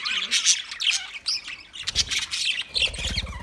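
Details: Budgerigars give bursts of scratchy, high chirping and squawking, with soft low rumbling below in the last second.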